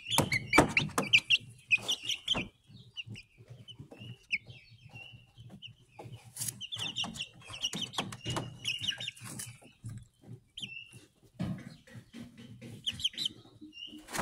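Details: A group of Speckled Sussex chicks about one month old keeps up irregular high-pitched cheeps, several a second, mixed with tapping, scratching and bumping noises throughout.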